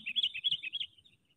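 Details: Sooty-headed bulbul decoy for trapping. A brief burst of quick, warbling chattering notes ends in a fading trailing note.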